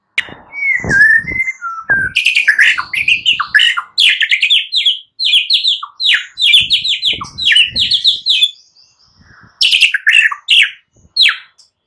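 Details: Shama song at morning, a lure for mute birds: it opens with slurred descending whistles, then long runs of quick, varied, ringing notes in repeated bursts with short gaps, ending in bright high flourishes.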